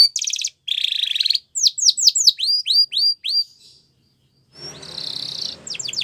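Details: Spanish Timbrado canary singing a training song for young canaries: a fast high trill and a lower buzzy roll, then a series of sweeping downslurred whistles. A pause follows, then a rough noisy burst and more quick slurred notes.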